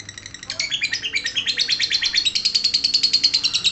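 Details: Lovebird in ngekek, a long unbroken chattering song. Harsh, shrill notes repeat about three times a second in a steady run.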